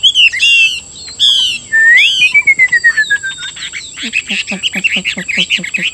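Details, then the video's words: Caged Chinese hwamei in Vietnam delivering rich whistled song: buzzy repeated bursts, then a long smooth descending whistle, followed by a rapid rattling series of short notes; a constant high tone sits in the background. "Họa mi hót hay"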